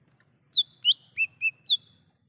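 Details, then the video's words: Lesser green leafbird singing in the wild, a lure recording. A lively phrase of five whistled notes: high, rising, two lower rounded notes, then a final high downslur. "Suara asli cucak hijau mini / cucak Rante di alam liar"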